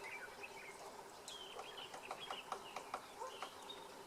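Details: Male Cardinal Woodpecker foraging for food, pecking on a branch of a dead Natal Fig tree in KwaZulu-Natal, South Africa: about eight sharp, dry taps at irregular short intervals, over steady background hiss with scattered chirps from other birds.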